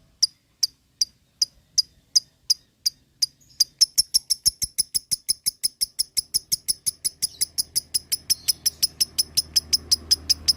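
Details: Lovebird starting ngekek, a lure to set other lovebirds chattering: slow, spaced sharp chips that suddenly speed into a long, fast, regular rattle, with a low background hum growing toward the end.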